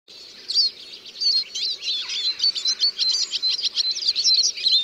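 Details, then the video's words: Eurasian siskin singing a rapid, twittering stream of high chirps and short trills, with brief buzzy notes woven through and a faint low hum beneath. "The song of the Eurasian Siskin"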